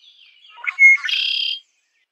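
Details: A red-winged blackbird gives its song once, soft chips followed by a ringing whistled note and a raspy, vibrating trill that ends abruptly.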